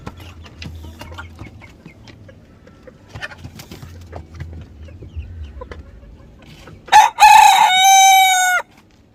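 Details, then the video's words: Crowing rooster from South Korea: after quiet background clucks, a single loud crow breaks out, harsh at first then held as a long steady tone before stopping abruptly. "Roster Crowing"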